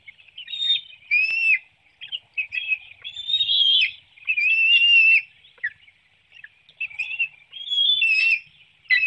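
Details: High-pitched whistled squeals from bald eagles at a Hanover, Pennsylvania nest, captured by webcam on 9 June 2019 at 7:04 a.m. while the young were fed a small fish. Calls are broken into short wavering phrases with uneven pauses.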